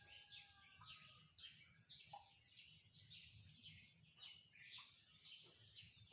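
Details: Birds singing together in the morning, quick high chirps and trilled phrases repeating roughly twice a second, a brief lower whistle now and then, faint low rumble beneath.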